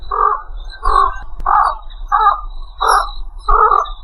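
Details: Egret giving a series of harsh, hoarse croaks, six rasping bursts roughly every two-thirds of a second, with a low steady rumble underneath.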